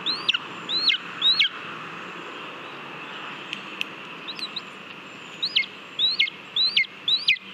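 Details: High-pitched whistled calls from a lesser spotted eagle feeding on a mole at a Latvian nest, live nest camera, 18 July 2022. The sharp downslurred notes come in quick clusters of three or four, with a quieter gap between, over steady hiss.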